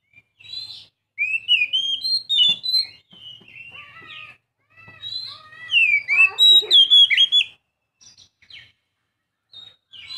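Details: Young Oriental magpie-robin singing a loud, varied run of clear whistled phrases, with sliding and rising notes and quick twittered bursts, pausing briefly between phrases.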